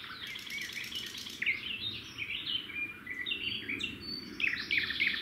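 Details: Red-backed shrike at a nest beside a road, as the male brings a grasshopper and the female feeds it to the chicks. Varied short chirps and sharp upslurred notes cluster densely through the clip, with steady low background rumble.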